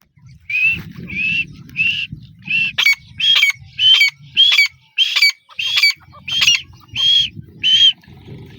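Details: Grey francolin calling in a loud series of about twelve harsh, ringing notes, each a rising and falling double phrase near one per 0.6 seconds, with low rumbling background noise underneath.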